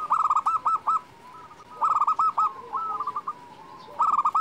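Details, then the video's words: Zebra dove, a local bird, giving bursts of four to five short, rapid, clipped cooing notes at a steady mid pitch. The bursts repeat with softer, drawn-out trilled notes between them, over a faint background hiss. "perkutut lokal gacor"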